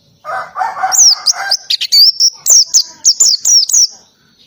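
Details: Oriental white-eye giving a noisy 'ngalas' song with canary-like phrases. A few lower warbled notes open the clip, then a long unbroken stream of high, sharp, downward-sliding chirps repeated rapidly for about three seconds.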